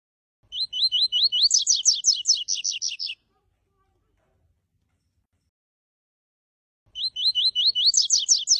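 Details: Double-collared seedeater song in the 'tui tui' style: two bursts of rapid, high, sharp repeated notes, starting as clipped ascending chirps then speeding into a dense, buzzy trill, separated by about four seconds of silence.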